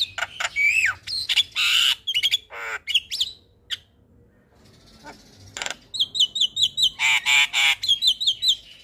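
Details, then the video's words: Morning calling of a Javan myna, said to prompt replies from other mynas; loud scratchy squawks and twisting whistles, a quiet pause, then a fast series of short repeated hooked notes. "Suara Panggilan jalak kebo Pagi Hari Bikin Jalak Lain Auto Respon"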